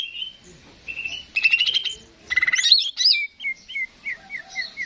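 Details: Greater green leafbird singing as a stimulus for other birds, opening with steady whistles, then bursts of rapid buzzy trills and a falling run of short slurred chips repeated about three times a second.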